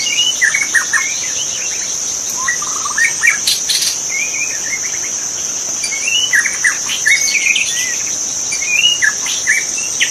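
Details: Free-living magpie-robin singing in forest, its song used as a training master: varied whistles, upslurred notes and chirp clusters spread over the clip, with a constant high insect drone.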